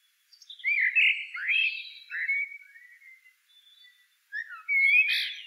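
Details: Blackbird song in a quiet setting: a run of fluty, swooping whistles that fade into thin, drawn-out notes. After a brief silence comes a stronger warbled phrase with a sharp, bright ending.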